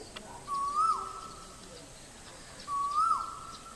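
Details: Male Asian koel at Guwahati, Assam, India, giving two rising whistled 'ku-oo' calls about two seconds apart, each swelling upward then dropping sharply, over a steady background hiss.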